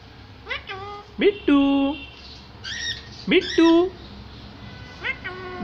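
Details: A small parrot tries to speak, producing rasping, harmonic word-like notes that rise sharply and then level off, coming in uneven bursts with brief pauses between them.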